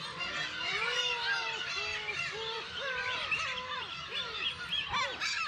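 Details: Black-tailed gull colony on Kabushima, Aomori, Japan, early June with chicks; one close bird gives a run of about eight plaintive, flat-topped mewing notes, each under a second, over a continuous chorus of many gulls.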